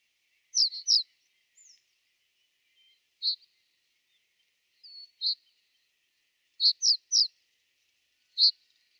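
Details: Common reed bunting in winter 2012–2013 at Genk, Boxberg, Belgium: a series of sharp high chips, some in quick pairs or triplets, mixed with thin drawn seeps, irregularly spaced over nine seconds.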